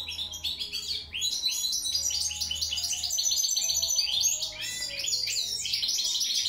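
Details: European goldfinch song: a dense stream of quick high chirps, buzzy twitters and short trills, steady and energetic throughout, with a slight low hum behind.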